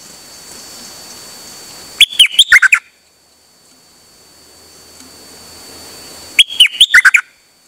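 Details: Dok Taeng bird sings without stopping during a rare outing, 8 September 2023; a rattling phrase of about eight quick, bright notes, silence of several seconds, then the same phrase repeated.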